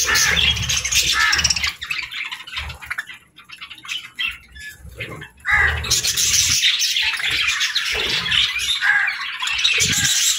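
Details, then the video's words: Morning feeding time with budgerigars: loud waves of chattering chirps and squawks, a quieter lull midway, then the group chatter swells again. "Good Morning Birds Chirping | Budgie Feeding Time"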